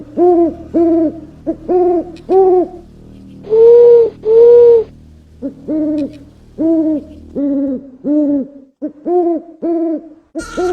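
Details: Owl giving a long series of short, even hoots, about two per second, with a pair of longer, louder held hoots near the middle and a brief higher tone at the end.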